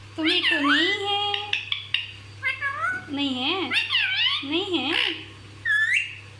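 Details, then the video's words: Talking parrot said to speak everything nonstop: rapid, almost continuous speech-like chatter with rising and falling tones, one long phrase after another, and a short high note at the end, with a faint low hum behind. "ये तोता सब कुछ बोलता है! Non stop bolne wala tota!!"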